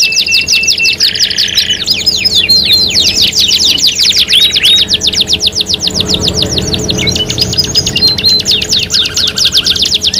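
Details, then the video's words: Canary singing in a three-in-one lure recording: a low buzzy tour opens, followed by long rapid trills, repeated whistled notes and a soft low rattle late on. "PANCINGAN KENARI 3 IN 1 | CANARY SINGING"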